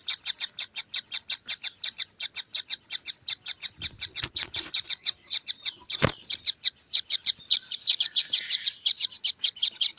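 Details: Young kingfishers give rapid, repeated rasping chirps in an unbroken series, growing louder and denser toward the end, broken by a sharp knock and a brief rustle midway.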